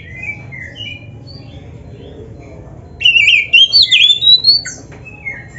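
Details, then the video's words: Oriental magpie-robin training song for caged birds: faint scattered notes, then a loud wavering whistled phrase of several sliding notes rising overall over about two seconds. "MASTERAN KACER GACOR FULL ISIAN JOS"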